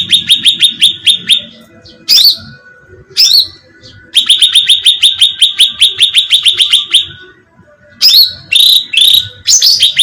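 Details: Cucak ranting bulbul bait sound for attracting birds: repeated fast sequences of sharp descending chirps interspersed with higher, louder whistled bursts and short silences.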